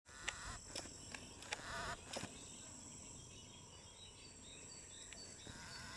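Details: Greater flamingo at the Isonzo river mouth nature reserve, 1 June 2023, giving several harsh, goose-like honks in a quick burst over the first two seconds, followed by steady wind and background hiss.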